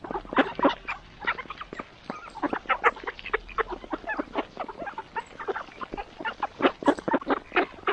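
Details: Morning feeding of Mallard ducks: dense, rapid, rough quacks and nasal chatter from several birds, uneven in loudness, with little background noise.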